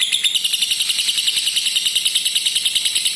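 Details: Long ngekek trill of a lovebird, played to coax stalled or lazy lovebirds and teach young birds to sustain the trill; dense, rapid, high-pitched chatter with evenly pulsing notes and no pauses.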